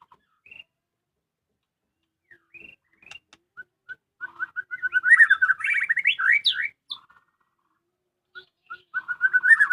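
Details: Domestic white-rumped shama singing: scattered soft notes, then a burst of rapid warbling and bright swooping whistles, a pause, and another fast run of repeated notes.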